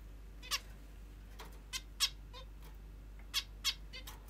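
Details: Pet female zebra finch calling in the morning: about six clear, short, nasal beeps, each rich in overtones, spaced unevenly and sometimes in pairs, with a faint steady hum beneath.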